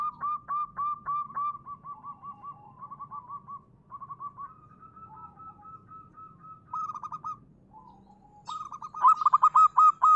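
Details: Zebra dove (local perkutut) giving repeated rolling coos, some phrases drawn out into a wavering trill, ending with a loud rapid run of clipped notes.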